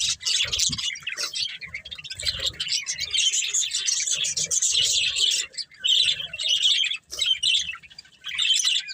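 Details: Pet budgerigar breeding pair chattering nonstop: dense, scratchy high-pitched chirps and warbles with brief pauses, plus faint low knocking in the background.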